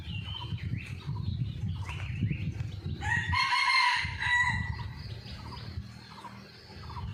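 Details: On a lively morning after a storm, a hidden camera catches a wild red junglefowl. One rough, drawn-out crow of about a second and a half rises over a steady low rumble, with scattered whistled notes from other birds.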